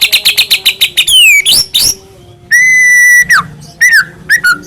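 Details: White-rumped shama of the Medan type singing vigorously, used as a lure to provoke other shamas into song and agitation; a burst of quick repeated clicks, then sliding whistles, long steady pure whistles and short falling notes.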